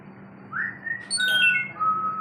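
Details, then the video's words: African grey parrot making a short rising whistle, then a harsh squawky burst that flows into a level held whistle, over a faint background hum. "Grey Parrot Talking"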